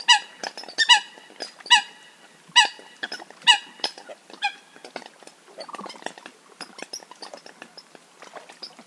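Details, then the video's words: Coots give loud, nasal, honking notes, about six in the first five seconds, followed by softer clicks and short calls from other coots. "Coots sound best"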